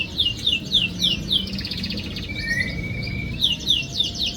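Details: Canary song used to lure a silent canary into singing: fast high chattering trills and repeated slurred notes, with a sustained whistled tone in the middle, over a low background hum.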